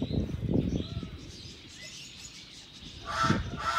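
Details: White-cheeked turacos (Tauraco leucotis) in an aviary at Heemskerk, Holland, give harsh, throaty croaks in short bursts, a cluster at the start and a louder burst near the end, with a faint thin whistle between.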